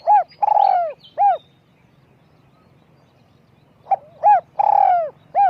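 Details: Spotted dove kept as a decoy bird, high small-voiced: phrases of mellow coos, a short note, a long drawn coo and a short note, repeated after a pause of about two and a half seconds.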